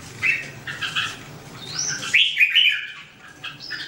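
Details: Red-whiskered bulbul song recorded in 2017: a few quick chirpy notes, then a high upslurred whistle and a louder warbled phrase, over a faint low hum.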